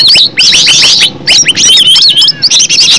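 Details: Green leafbird natural song used as a lure. Short bursts of sharp, looping whistles and squeaky chips, delivered in quick uneven phrases separated by tiny pauses.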